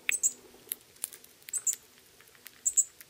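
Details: Pyrrhuloxia chicks begging during feeding by their father in Terlingua, Texas, summers 2013 and 2014; rapid paired high chirps in bursts with clicks and a brief low hum between.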